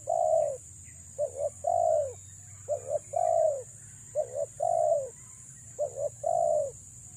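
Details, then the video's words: Female spotted dove calling to lure males, used as a trapping lure: soft, low coos in repeated phrases of two or three short notes followed by a longer, drawn-out coo, about every one and a half seconds, over a steady high hiss. "BURUNG TEKUKUR BETINA PREM4N MENGH4JAR PIKAT"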